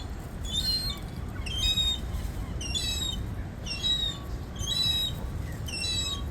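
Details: A gull begs for food with a steady run of bright, high-pitched harmonic calls, each burst a cluster of short notes repeated roughly every second over a low background rumble.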